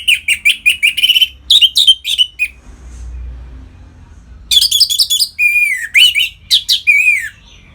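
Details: Orange-headed thrush singing to stir captive birds toward breeding condition: rapid runs of sharp whistled notes, then a second burst with longer slurred, descending whistles, all high-pitched and bright against a quiet low hum.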